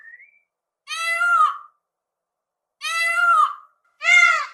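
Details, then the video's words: Peafowl calling: a short faint note, then three drawn-out, rich, harsh wails that fall off at the end, separated by pauses of one to two seconds, with no other sounds. "SOM DO PAVÃO"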